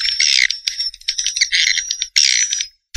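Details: Swiftlet calls in short bursts of high, buzzy twittering, broken by brief pauses, with a thin steady whistle-like tone running through parts of the chatter.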